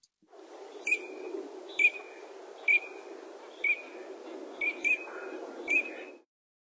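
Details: Male Eurasian teal giving its most typical nocturnal flight call: short, clear, high whistled 'krik' notes, seven in all, roughly one a second, over a low steady rumble of background noise.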